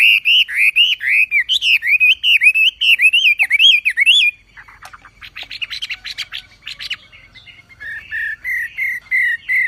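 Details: Javan pied starling song for training songbirds: a fast run of looping whistled notes, then a pause with scratchy clicking chatter, and finally evenly spaced, clear, slightly lower whistles.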